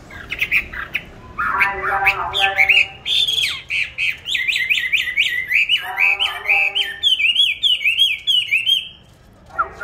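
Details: Caged songbird bought on 19 May 2020, fed steadily and singing at all hours: harsh chattering notes giving way to a long run of rapid rising-falling whistles, repeated in rhythmic loops.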